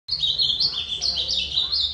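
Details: Ultramarine grosbeak (azulão) singing a fast, continuous warbled phrase of high, sliding whistled notes that rise and fall and run without pause throughout, over a faint low background hum.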